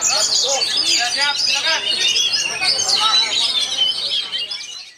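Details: Oriental magpie-robin singing at the Sriwedari Berkicau bird competition in Indonesia on Sunday, 12 November 2023; a dense, unbroken stream of high whistles, trills and chattering notes, with overlapping song throughout and a fade at the end.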